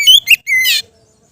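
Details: Brief fragment of an Oriental magpie-robin's relaxed ngeplong song, used to train inexperienced kept birds: two quick rising whistles, a level drawn whistle, then a coarse buzzy note.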